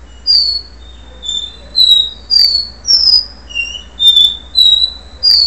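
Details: Before moulting, a capuchino seedeater sings its do-re-mi song: a steady series of about nine sweet whistled notes roughly every half second, alternating high, middle and lower pitches, some slurred downward.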